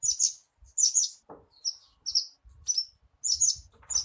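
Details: Song of the Javan bushlark used as a lure for kept birds: loud, scratchy, very high chirp bursts in short groups, with a lower rasp midway and scattered low thuds.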